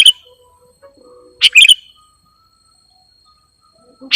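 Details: Lure (pikat) singing by a sooty-headed bulbul (kutilang): short bubbly warbled phrases that open with a sharp chip, repeated roughly every one and a half to two and a half seconds, with near silence between.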